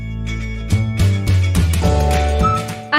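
Only music is heard, with steady low instrumental tones and no animal voice.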